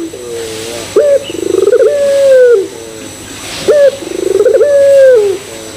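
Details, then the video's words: Barbary dove of the long-cooing pelung type, used as a lure recording to set other doves cooing: a short bright note, a rapid stuttering pulse, then a long level coo slowly falling away, repeated twice. "Pancingan Puter Pelung Bikin Puter Pelung Yang Lain ikutan Gacor"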